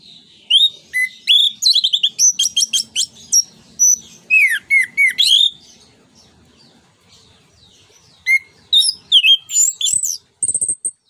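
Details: Long bout of orange-headed thrush song in the 'ngeplong nembak' style, played to stimulate other birds. Varied loud whistles, trills and quick chattering, a quiet stretch, then more phrases ending in a thin high whistle and a faint low hum.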